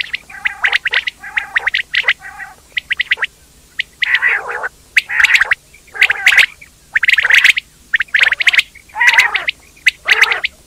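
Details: Quail calling steadily, with bursts of sharp high chirps and gargling, raspy squawks repeating about once a second over a quiet background.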